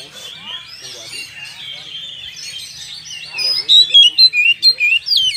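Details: Oriental magpie-robin singing to goad other birds into a fight: soft jumbled warbling at first, then loud clear whistled notes sweeping up and down, about four per second, with faint speech below.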